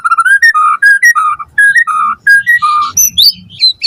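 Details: White-rumped shama lure song meant to prompt a quick reply from other shamas; loud rich whistled notes in a rapid varied series, mid-pitched at first then jumping to high sharp twitters near the end.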